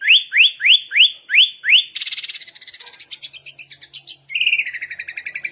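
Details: Sooty-headed bulbul singing energetically in the ngegaruda style: six clear upslurred whistles in steady succession, then a fast rattling series of short notes, ending in a buzzy, wavering warble.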